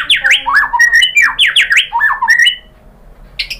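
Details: White-rumped shama singing a lure song rich in mimicked material, meant to make other birds answer: loud whistled phrases with swooping downward slurs tumbling into each other, fading to a quiet pause before one last high note.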